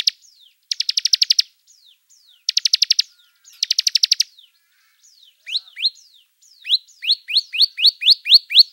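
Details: Bar-winged prinia, a caged songbird, singing: repeated rapid trills of high clipped notes separated by thin falling slurs, then a run of loud rising upslurred whistles repeated about every third of a second.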